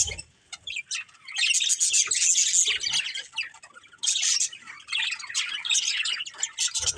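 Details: A breeding pair of budgerigars, pet family birds, giving long stretches of busy high chattering warble, scratchy chirps tumbling quickly, broken by brief pauses.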